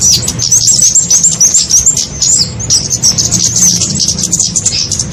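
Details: Kemade lure sound played to draw small birds for trapping: continuous high-pitched twittering, rapid wavy chirps tumbling over one another from several birds, steady low hum underneath.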